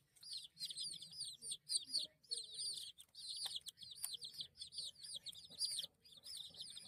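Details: Several baby chickens chirping constantly in shrill, bright peeps that arch down in pitch. The peeps come in fast overlapping runs, with brief pauses between bursts.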